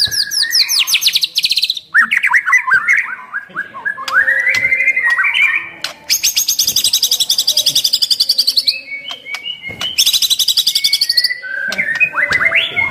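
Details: White-rumped shama singing a full, varied song used to provoke rival shamas: high rapid trills, slurred whistles and mimicked phrases alternating with long dense chattering runs, loud and continuous.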